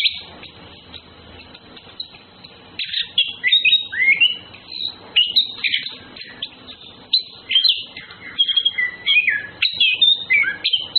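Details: Orange-headed thrush males and females courting: after a quiet start, a rich, varied song of sweet whistles, slurred rising and falling phrases and rapid twittering runs, in loud bursts every second or so.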